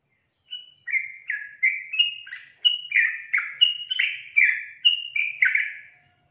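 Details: Yellow-vented bulbul in full song: a lively, continuous string of about a dozen bright, chirpy notes, alternating higher whistles and lower slurred dips in a bouncing, irregular rhythm.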